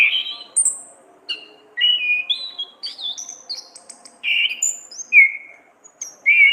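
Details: Orange-headed thrush delivering a varied ngeplong and ngriwik song for masteran training: a rapid series of clear whistled phrases that jump between high and very high pitches, some sliding down, over a faint low hum.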